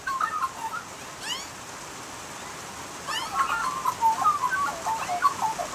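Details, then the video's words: Australian magpie in rain, a short burst of low fluting warbles, a pause with only rain hiss, then a longer rolling, gurgling phrase of mellow notes and a few high upward chips. "Nonstop Australian Magpie Sounds and Calls | Unbelievable Magpie Singing!"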